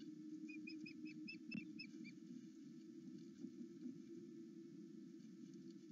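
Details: Osprey on a Loch Arkaig live nest camera, excited at its mate's return, between 08:00 and 09:00: a quick string of faint, high whistled chirps over a steady low rumble of wind and camera hum.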